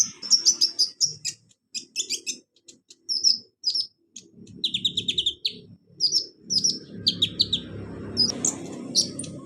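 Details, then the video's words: Sunbird known as kolibri ninja, played to get a silent caged bird singing: clear bursts of sharp, high-pitched chips and short twittering phrases with brief pauses, some notes dropping slightly lower, faint low noise behind. "KONIN TERAPI konin malas bunyi Insya Alloh cepat ikut bunyi"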